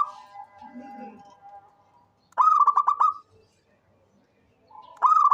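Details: Local zebra dove, a vocal bird offered as a lure to encourage other birds to sing: a soft mellow coo, then a quick run of pulsed, trilled notes, with another trilled phrase starting near the end.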